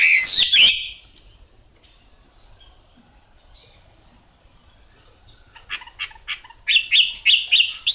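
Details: Chinese hwamei with yellow bill and yellow legs: a loud, rich burst of whistled notes opens, then a near-silent pause before a run of short, sharp repeated notes at the end.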